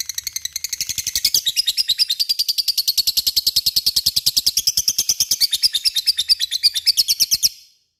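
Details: Lovebird giving ngekek song to provoke other lovebirds: a sustained, rapid chatter of high, raspy pulses that starts quietly, swells, and stops abruptly at the end.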